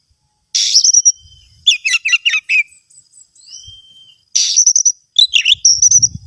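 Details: Oriental magpie-robin phrases: buzzy high bursts ending in thin whistles, alternating with rapid stuttered chirps, a soft slurred whistle between bursts, on a quiet background.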